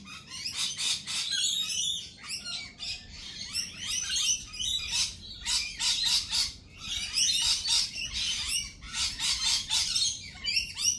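Lorikeets keep up a constant shrill, screechy chatter of high, harsh chirps, many birds calling over one another in quick bursts.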